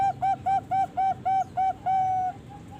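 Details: Song of a young Bangkok zebra dove, 3.5 months old: seven short, bright cooing notes in even rhythm, then a longer sustained note and a faint final coo over low hiss.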